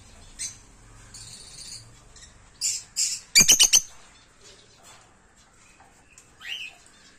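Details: Caged rosy-faced lovebirds of green and lutino colour varieties: scattered thin high squeaks, then a loud tight run of about five sharp shrieking notes in the middle, followed by a lone rising chirp.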